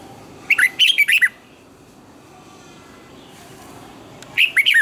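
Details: Red-whiskered bulbul singing a morning training song in the double twisted-note style: a rapid phrase of six bright, curling whistled notes, silence, then a similar shorter phrase.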